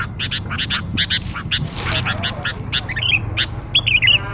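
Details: Chatty sooty-headed bulbul lure sound for young birds: a quick series of harsh chirps, a brief noisy burst midway, then bright whistled slurs near the end.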